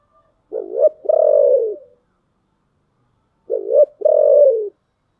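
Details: Thổ-style (giọng thổ) song of a spotted dove: a two-part coo, short rising note then long steady coo, repeated twice about three seconds apart against silence.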